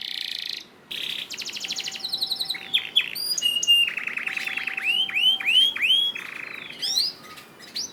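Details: Varied canary song for training other canaries to sing, with buzzy rolls, fast chattering trills, steady flat whistles and bright swooping notes changing every second or so.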